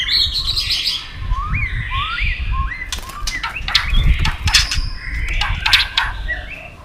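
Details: White-rumped shama in a singing duel, tail flicking: repeated rising whistled notes, followed by sharp clicks and fuller warbling phrases against a steady low noise background.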